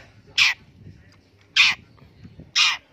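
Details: Harsh, grating single notes from a long-tailed shrike kept and trained to be tame: three loud rasps roughly one second apart over soft low-pitched background noise.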